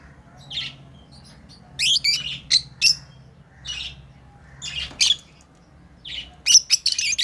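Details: Playing pet lovebirds call in short, harsh, high squawks and chirps, often in pairs or quick clusters every second or so, over a quiet indoor hum.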